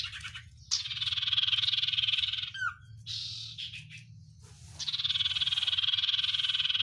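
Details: Oriental white-eye with 'sirtu isian luber banyak pedes' song: long dense buzzy rattles, each about two seconds, broken by a quick downward-slurred whistle, with faint low hum beneath.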